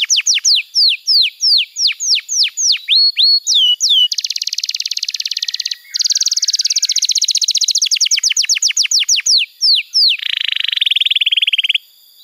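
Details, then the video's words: Canary song offered to teach young birds and rouse silent ones: a string of whistled downslurs, a loud buzzy roll, fast repeated sweeping notes, and a lower rasping roll at the end. "Masteran Kenari PAUD & Pancingan Kenari MACET BUNYI"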